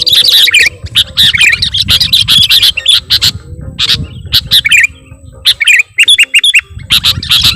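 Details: Sooty-headed bulbul luring sound: dense, continuous chattering of harsh buzzy notes and whistled twitters with a background rumble and brief pauses.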